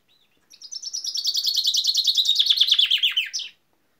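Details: Common chaffinch singing a full phrase: a rapid run of bright notes that steps steadily downward for about three seconds and ends in a brief rising flourish, with no other sounds.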